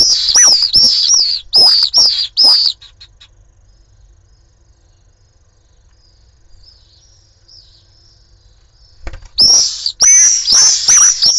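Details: Pallid swifts (Apus pallidus) at a nest in Jerez de la Frontera, Cádiz, give harsh, buzzy, downslurred screams in rapid bursts during repeated fights, with fainter calls from other swifts further off.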